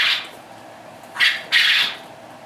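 A quail gives its crow, three harsh, raspy bursts: one short one, then a pair a second later, the last the longest and fullest.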